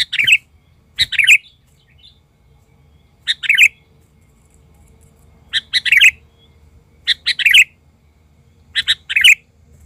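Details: Sooty-headed bulbul used as a lure bird, singing agitatedly at wild bulbuls: short bursts of bright, bubbly chirping notes, each burst of two or three clustered notes, spaced roughly every one to two seconds, with a faint low hum behind.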